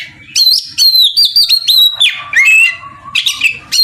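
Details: Oriental magpie-robin singing loudly to provoke a rival male into answering: clear whistled notes sliding down, sharp chips and rich varied phrases in quick bursts with brief gaps.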